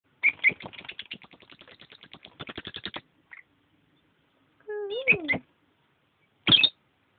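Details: Pet lovebird pair, a female and a male, fooling around at their nest: a fast run of dry, rattling chatter notes for three seconds, then a few sharp high squeaks after a short pause, with one lower sliding tone.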